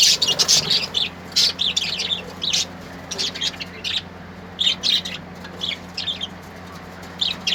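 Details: Colourful birds singing: bright, high twittering chirps in clusters, busiest at the start and returning in bursts every second or so, over a soft continuous hum.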